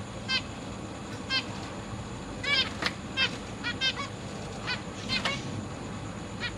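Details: Captive zebra finches, parents busy feeding newly hatched chicks with juveniles nearby, August 2023: scattered short nasal harmonic calls, some in quick pairs and triplets, moderately loud over steady background hiss.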